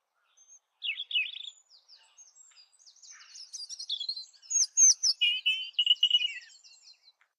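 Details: European robin singing a varied, high warbled phrase: a trilled opening, then a quick run of thin whistles, twitters and sharp descending notes, with louder bursts toward the end and a clear, quiet background.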